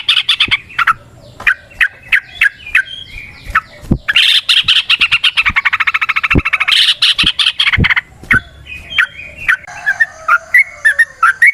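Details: Wild yellow-vented bulbul (trucukan) singing in the forest, a lure sound for other bulbuls: bubbly chattering phrases near mid pitch, with a long dense rapid trill in the middle, sharp clicks scattered throughout and a second high thin voice at the end.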